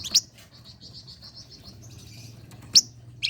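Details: Flame-breasted flowerpecker song, a lure for competition songbirds. A sharp, high chip opens a steady series of rapid, thin, pulsed notes. Another piercing chip follows, then a buzzy fragment.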